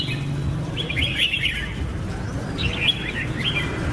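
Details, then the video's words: Red-whiskered bulbul giving two lively bursts of slurred, chirping whistles separated by a brief pause, over a soft low rumble. "Birds Red-whiskered bulbul (Pycnonotus jocosus) Chants Extreme Peak"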